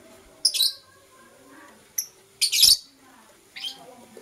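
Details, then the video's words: Blue opaline and parblue euwing opaline lovebirds heard in the morning: scattered high, harsh chirps, one longer rasping burst in the middle, separated by short quiet gaps. "Lovebird Chirping Sounds"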